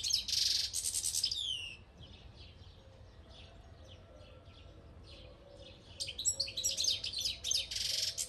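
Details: A European goldfinch in Albania sings a rapid, tinkling medley of liquid twitters and buzzy trills, loud at the start and end with softer notes between.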